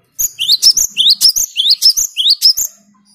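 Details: Cinereous tit, a 'gacor' bird that sings continuously, used as a lure to provoke rival birds. It gives a loud, fast series of rising whistled notes mixed with sharp high chirps, about seven phrases packed into under three seconds.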